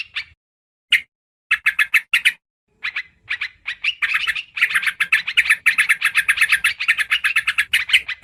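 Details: Yellow-vented bulbul lure recording used to attract birds: bursts of harsh, chattering notes that start sparse with short pauses, then run into a dense, rapid, continuous chatter in the second half.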